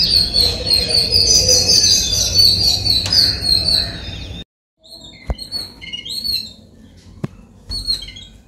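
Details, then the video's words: Yellow-billed babblers (Argya affinis) in Sri Lanka give a dense, harsh, squeaky chatter from several birds at once, then a brief pause and sparser scratchy calls with a few sharp clicks. "Yellow-billed babbler"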